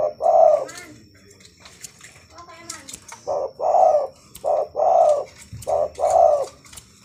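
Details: Actively singing zebra dove (perkutut) gives low, soft, warbling coo phrases in short and long bursts, with quiet human speech in the pauses and a faint steady high hum behind.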